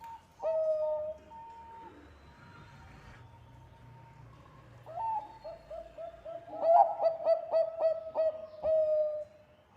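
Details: Bangkok-type zebra dove in lively song, used as a lure: a long mid-pitched whistled coo, a quiet pause, then a burst of rapid staccato cooing notes with a rolling trill toward the end.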